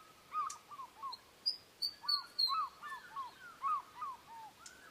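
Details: Series of short, arched whistles from an Osprey, about two to three notes per second, with a few sharp higher whistled notes mixed in midway against light background hiss.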